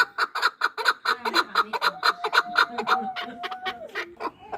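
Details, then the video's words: Two-year-old chukar partridge kept for hunting in Norak, Tajikistan: a steady series of sharp chuck notes repeated roughly twice a second, gaining pace, with faint low voices in the background. "Кабки шикори"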